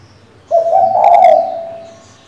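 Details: A female spotted dove calls to a male to provoke a decoy bird: one loud, low, breathy coo of about a second and a half that fades at the end. The background is quiet.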